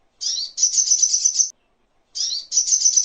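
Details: Sogok ontong, or crimson sunbird, singing in a training master recording for songbirds: two high, sharp phrases, each opening with a rising chirp and running into a rapid, shimmering trill.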